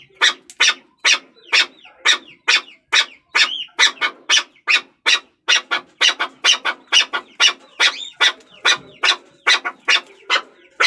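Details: A Chukar partridge gives a long run of rasping chuck notes, roughly two to three a second, with faint rising slurred notes woven among the main beats.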